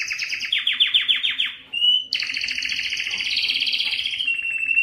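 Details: Singing canary, said to be Belgian, whose song is meant to attract females for breeding: a descending series of rapid pulsed notes, a short whistle, then a loud continuous rolling trill ending on a pure tone.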